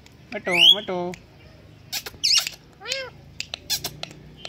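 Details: Indian green ringneck parakeet, a pet talking parrot, utters speech-like mimicked syllables with a rising squeal, then short arched squawks and scattered clicks.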